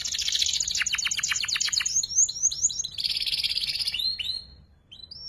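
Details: Young canary in ngeriwik practice, for tutoring magpie robins and kacer: dense buzzy trill with pulsed notes, quick chirped sweeps, another buzzing trill, then fading thin whistles.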